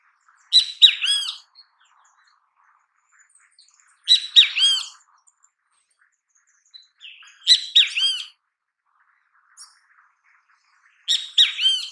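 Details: Great kiskadee in natural habitat repeating a loud, emphatic three-syllable phrase of harsh, harmonic, slurred notes roughly every three and a half seconds, four phrases in all, with near silence between them.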